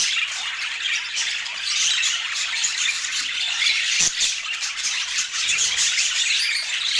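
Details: Budgerigars at mealtime fill the air with an unbroken wash of high, warbling chirps and scratchy squawks, plus a single soft knock partway through. No music or speech.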